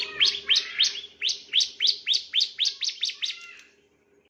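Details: On a master recording meant to train other birds, a Bar-winged prinia, perhaps male, repeats sharp high downslurred chirps roughly every third of a second for about three seconds, then falls silent before one final note.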